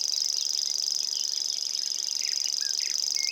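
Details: A common grasshopper warbler (Locustella naevia) in Estonia reels its song, an unbroken, high, insect-like trill of rapid ticking pulses, with softer chirps and whistles from other birds underneath.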